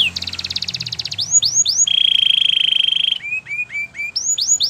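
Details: Singing white canary in a training song, opening with a fast rattling trill, then rising whistles, a sustained buzzy roll, and short upward chirps repeated in a quick series.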